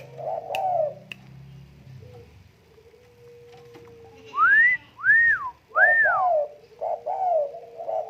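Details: Spotted dove, tame, with low slurred coos at the start and end, while three loud, high arching whistles dominate the middle over soft background hum.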